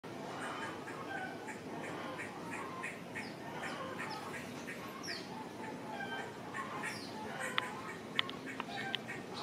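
A streak-backed oriole gives harsh, chattering call notes, about one to two a second, with a few sharper clicks near the end over a steady hiss.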